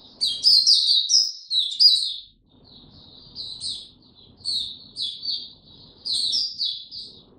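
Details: Oriental white-eye in a relaxed opening song, 2 May 2022: a loud burst of high twittering, a short silence, then spaced clusters of thin, sweet notes over soft low background noise.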